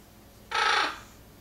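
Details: Indoors, a female Eclectus parrot in the background, reacting while a young sun conure performs tricks, gives a single harsh, raspy squawk lasting about half a second, loud and broad-toned.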